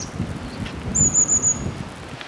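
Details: Long-tailed tit of the Hokkaido form called shima-enaga, in forest; calls said to mean 'I'm here' or 'something is there'. A quick run of four thin, very high notes, lasting under a second, over a low rumbling background.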